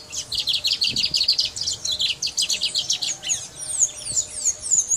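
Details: Singing brown mustache finch from Guyana delivers a rapid, continuous chatter of high, sharp twittered notes, ending in a few sweeping, slurred whistles.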